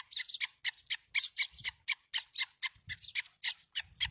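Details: Black francolin recorded near Khushab, giving a rapid series of harsh, scratchy notes about four per second, each a short broadband burst reaching high pitch; faint low rumble of background noise in places.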